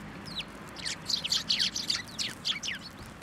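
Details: Sparrows gathering at a post to be fed, at a Tenmangu shrine on 1 January 2024: a busy run of short, high, downward-sliding chirps from several birds, overlapping irregularly over a low background hum.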